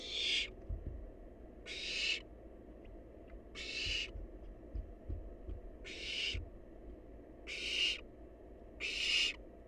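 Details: Wild barn owl nestling in a nest box, feeding on leftovers: harsh, hissing screeches about half a second long, repeated roughly every one to two seconds, with faint low thumps between.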